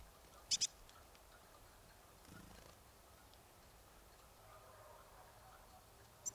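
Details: Marsh tit near Nowy Korczyn, Poland, giving a quick pair of sharp, high clicking notes early on, then one more faint note at the very end, with quiet background hiss between.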